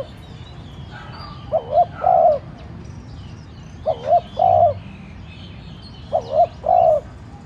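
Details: Spotted dove decoy cooing lightly to stimulate wild doves to call; three evenly spaced phrases of short coos ending in a longer hoot, with busy chirping of small birds in the background.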